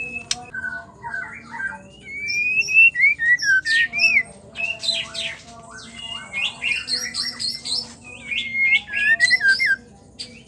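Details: Female white-rumped shama (murai batu betina) singing, a sound used to make males sing; varied whistled phrases and sliding notes with harsh squawky bursts, a rapid series of loud notes through the middle and end, with faint low hum behind.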